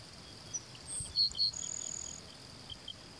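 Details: Grassland sparrow near Kangüery Station, San Rafael reserve, Itapúa, Paraguay, November 2016: a few thin, very high whistled notes, two stronger ones near the middle, over a steady high insect drone.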